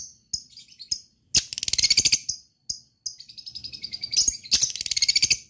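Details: Lovebird in ngekek song, used to prompt other lovebirds to sing: short high chirps, then long rattling trills of rapid piercing notes, broken by brief pauses.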